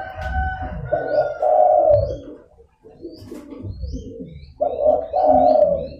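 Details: Spotted dove cooing to lure wild doves: deep, mellow coos in paired phrases with a brief pause between, and faint chirps above.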